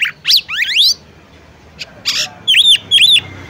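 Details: Female oriental magpie-robin (kacer) calling to a male to make him sing: rising and falling whistled sweeps, a brief buzzy note, then two bright arched whistles repeated about half a second apart, with a low background hum.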